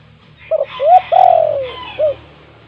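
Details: Spotted dove (tekukur) of the gacor "kuk 2" style, used as a lure to prompt lazy doves to call: a short coo, a rising coo, then a long falling drawn-out coo and a final short note, over faint low hum.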